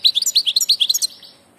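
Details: Short burst of goldfinch song from a bird of passage: about ten quick liquid chirps in one second, fading into a thin trailing note.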